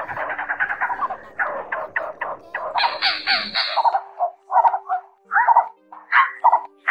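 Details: Blue-bearded bee-eaters calling to gather the flock, played to lure birds; a fast burst of rasping notes gives way to separate, louder croaking phrases spaced about a second apart.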